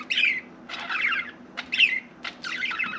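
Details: An indoor budgie gives short bursts of buzzy, warbled chatter and clicks, each lasting about half a second, with brief quiet gaps between.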